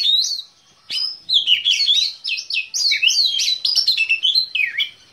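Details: A privately kept Oriental magpie-robin, black-breasted type, pours out a long, fast medley of bright whistles, trills and sharp chips, after one opening phrase and a brief pause.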